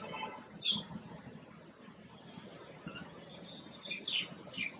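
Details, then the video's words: Close-range green bee-eater, seen preening, with scattered high, clipped chirps spaced irregularly, the loudest just past two seconds, followed by a cluster of thin twittering notes near the end over a soft background rumble. "Green Bee Eater"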